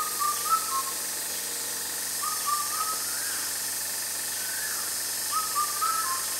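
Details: Indian cuckoo calling loudly, a bird taken as a sign of summer. It gives its mellow four-note whistled phrase, falling slightly at the end and repeated about every three seconds, over a steady high insect-like hiss.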